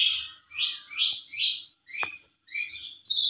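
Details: Javan pied starling lure recording: six hoarse, buzzy notes given about twice a second with short gaps, plus a single sharp knock and a quiet low hum in the background.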